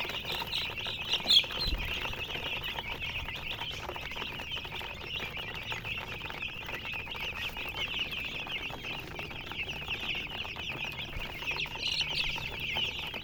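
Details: Continuous chorus of baby chicks, high thin peeps from many birds at once, steady throughout with background hiss and rustle.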